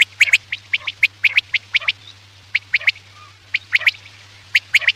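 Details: Quail call played at night as a hunting lure: sharp, high chirped notes in quick irregular bursts, often paired or tripled, about one per second, over a steady low electrical hum.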